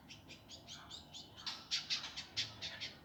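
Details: Indigo flycatcher training master, rough and rapid gavor kasar style: a run of quick harsh high notes, building to louder scratchy chips repeated about every quarter second.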